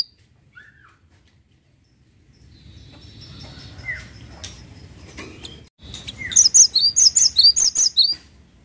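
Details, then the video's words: Cinereous tit song: after faint scattered chirps and background rustle, a loud two-second burst of high piercing whistled notes in rhythmic pairs closes the recording. "GELATIK WATU GACOR"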